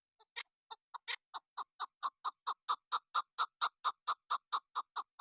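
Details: Female chukar partridge serving as a hunting decoy opens with a few hesitant notes, then settles into a very regular, loud series of gruff chuk calls, roughly two per second.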